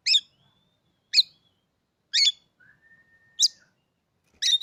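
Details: Caged Oriental magpie-robin bought three days earlier gives five loud, harsh notes about a second apart, separated by two long, thin, steady whistles. The background is silent.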